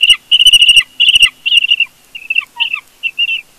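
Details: Bald eagle family squabbling at a Big Bear nest on a live nest camera: quick bursts of high, piping chatter, several notes per burst, falling into shorter separate chirps toward the end.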